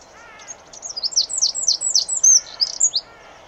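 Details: Eurasian wren in Germany, singing to mark its territory: a fast, shrill stream of high notes and trills with a few lower warbled phrases before and after.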